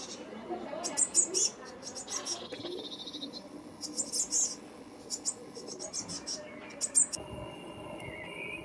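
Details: Eurasian blue tits at their nest box in Anglet, France, in spring 2020: scattered bursts of high, thin, scratchy chirps over a low rustling, muffled background, with a few faint tonal notes late on.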